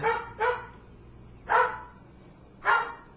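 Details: Pet cockatoo, praised by its owner as a good watchdog, gives harsh, dog-like barks: a quick double bark, then two single barks about a second apart.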